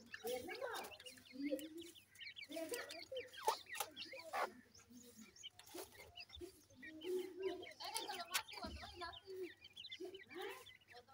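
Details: Little grey francolin chicks feeding, giving a busy stream of short chirping notes that overlap one another, with lower soft clucks underneath throughout.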